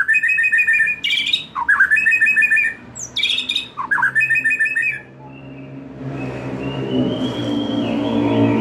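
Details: White-rumped shama lure song for a young wild bird losing juvenile spots, aimed at full loud singing: about five seconds of high buzzy trills and looping slurred whistles, followed by quieter rumbling background noise with a faint rising tone.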